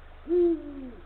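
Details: Late-afternoon nest visit on 17 February 2023 at 16:45: a male Eurasian eagle-owl calls the female with one loud, low hoot. It rises sharply, holds, then drifts steadily downward before dying away, over a faint low hum.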